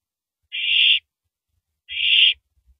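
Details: Owl tearing apart and swallowing a large rabbit, recorded by a live nest camera before dawn at 3:33 AM, April 9, 2012; two rasping hissing screeches about a second and a half apart, with faint low knocks.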